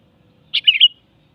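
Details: Melodious sooty-headed bulbul phrase, a crisp first note leading into two rapid liquid warbles that finish on a higher ringing note, one phrase in near silence.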